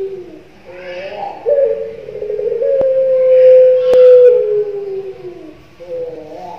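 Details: Young leg-ringed Barbary dove of the puter pelung type, known for its long drawn coo. A long, smooth, level coo holds steady through the middle, with softer sliding notes before and after and a couple of sharp clicks.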